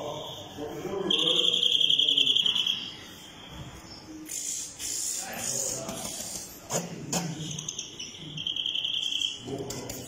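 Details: European greenfinch (Chloris chloris) song: a fast, high, evenly pulsed trill lasting about two seconds, with a second shorter trill near the end, amid other twittering and background noise.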